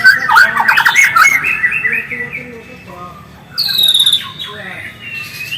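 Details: White-rumped shama song in its original voice, used to provoke singing in other shamas: rapid trilled notes at first, a quieter stretch of soft repeated notes, then a high, clear whistled burst.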